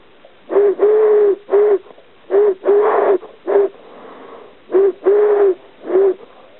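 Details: Close, loud Eurasian collared dove giving three deep, hollow three-note coos, short-long-short, each phrase separated by a pause of about a second, with a breathy edge to each note.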